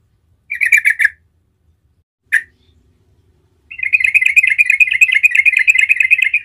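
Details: Yellow-vented bulbul, locally trucukan, calling as a lure for other bulbuls. A short chattering burst and a single sharp note are followed by a sustained rapid rolling trill of many repeated notes.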